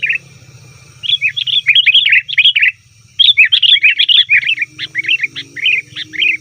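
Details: Noisy chatter of a sooty-headed bulbul, played to attract wild birds: two long runs of rapid, warbling chirps with a brief pause between, over a soft low drone.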